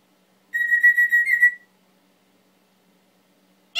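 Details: Pet male Timneh African grey parrot gives one long, steady, slightly trilled whistle lasting about a second, then a brief harsh note at the end; the room is otherwise silent.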